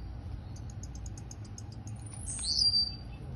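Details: A Blue-black grassquit (tiziu), an owned bird in Campo Grande, Rio de Janeiro, gives a run of quick, high ticking notes, then a sharp, buzzy two-part 'ti-ziu', over a low background hum.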